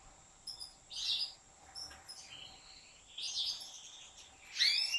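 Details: European goldfinch kept by professional breeders, caged, giving slaka-style song in scattered bursts: short twittering chirps and sharp whistled notes separated by pauses of about a second, with a strong ringing burst at the end.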